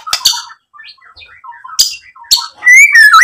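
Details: White-rumped shama, played to provoke another bird into singing: loud sharp bursts and a rising and falling whistled phrase with quieter warbling notes between them.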